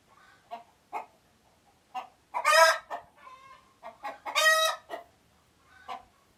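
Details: Chickens in Uganda on alert: a run of short clucks punctuated by two harsh, grating squawks about two seconds apart, with a brief low trill between them.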